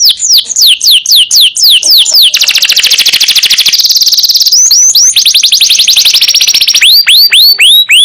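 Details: Kept canary in full, nonstop masteran-style song used to tutor other songbirds: loud high descending swept notes repeated rapidly, a long fast trill in the middle, then rising sweeps returning at the end.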